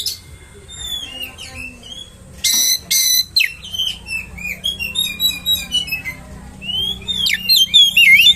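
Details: Oriental magpie-robin song played to provoke rival magpie-robins; faint whistles early on, harsh rasping bursts, then many short whistled notes and a loud sliding warble near the end, over a low steady hum.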